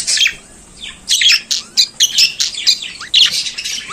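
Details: Pet budgerigar singing in the morning, a fast stuttering chatter of squeaks, clicks and short buzzy notes in quick succession after a brief opening call.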